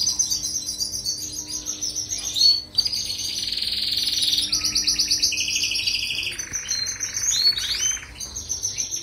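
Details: Tutor song of a European goldfinch for canaries: a string of long rolling trills that step between pitches, broken by a short pause, then more buzzy rolls and a few upward-sweeping notes.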